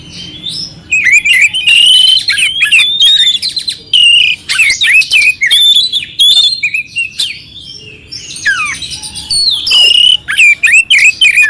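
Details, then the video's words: Clear oriental magpie-robin song laced with rough notes, used to provoke another magpie-robin: long runs of loud whistles, wavering slurs and scratchy chips, briefly pausing before a final rapid burst. "Suara Kacer Jernih isian kasar Cocok untuk masteran untuk menaikkan emosi kacer dingin"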